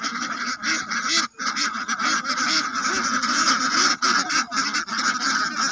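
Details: A loud flock of ducks fills the air with coarse, honking quacks. The calls run together, broken by a short lull near the start.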